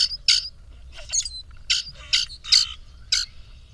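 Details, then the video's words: Two male grackles displaying to a female, puffing up and presenting themselves, caught on a bird camera: harsh, squeaky broadband bursts repeated about every half second, some sharp and rasping, with a faint low hum beneath. "Grackle duel for a female"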